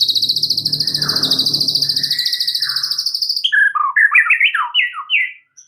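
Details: White-rumped shama (murai batu) in extra chattery gacor song full of varied phrases. A steady buzzy drone with harmonics opens, then sharp clipped whistled notes in a fast, jumpy series.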